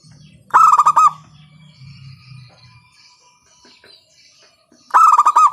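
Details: Zebra dove of local stock calling loudly, used as a lure to prompt other doves to sing. A burst of fast, rough, pulsed coos opens and another closes, with a quiet gap and faint whistles between.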